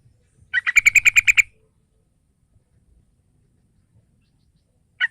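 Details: Bulbul lure for a young yellow-vented bulbul: a single rapid volley of around nine bubbly, ringing notes lasting under a second, then silence, with a clipped note starting at the very end.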